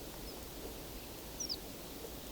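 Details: A single thin, high Horned Lark call in winter farm fields in Haldimand County, Ontario, among a Snow Bunting flock; slurred downward and very brief, over a steady outdoor hiss with faint rustling.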